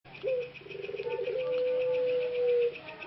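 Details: Caged male ringneck dove of the pelung type in Karanganyar, Central Java, Indonesia, one of three productive males recovering a slightly hoarse voice after a long time in the breeding cage; a short rough start, then a long steady drawn-out coo, with insect-like pulsing behind.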